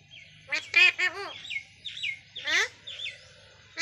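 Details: A rescued Indian parrot kept uncaged talks in short, harsh, nasal word-like bursts, with a few rising whistled squeaks between them, over a faint background hum.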